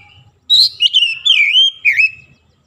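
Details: Oriental magpie-robin in morning sun delivering one loud, continuous phrase of bright whistled notes that slur down and up, with a final rising-falling flourish after a short gap.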